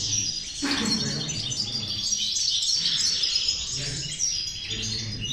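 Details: European goldfinch (jilguero) singing a 'corona de caderneras a 6 remesas' song style; continuous high, rapid tinkling twitters and liquid trills run without pause, with a soft low rumble and faint voices in the background.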